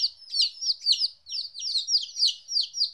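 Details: Group of two-week-old chicks, first time separated from their mother, chirping in quick bursts of high falling peeps that rise and fade in waves.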